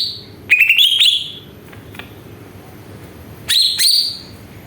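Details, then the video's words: Greater green leafbird song used as a lure to provoke other birds into singing: two bursts of clear, upslurred whistles with sharp notes, near 0.5 and 3.5 seconds, separated by quiet background hiss. "PANCINGAN CUCAK IJO BIAR EMOSI JAMTROK"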